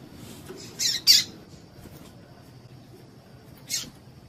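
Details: A female Double-collared seedeater, calling to excite males, gives two quick raspy chips close together, then one more after a pause of about two and a half seconds. A soft steady whine is audible.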